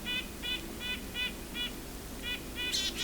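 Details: Red-breasted nuthatch drawn in by pishing in winter in Ontario during a Christmas Bird Count: repeated nasal toots, slightly irregular with a short gap, ending with a brief breathy hiss.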